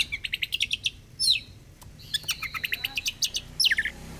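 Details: Rapid chattering runs from an oriental magpie-robin in fighter style: fast repeated metallic notes, about six per second, broken by a rising sweep and ending in a jumbled, twittering flourish.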